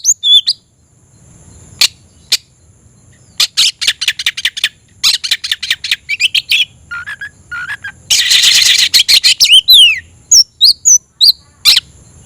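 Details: Oriental magpie-robin (kacer), a kept songbird, singing loudly with tail spread, raising emotion and calling a rival to fight: sharp clicks, harsh rasping bursts and scattered whistled slurs with short pauses.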